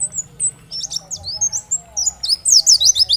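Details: Kept oriental white-eye giving a twittering song meant to provoke other white-eyes to sing, starting with thin drawn-out whistles and breaking into rapid, high, tumbling chirps that intensify toward the close.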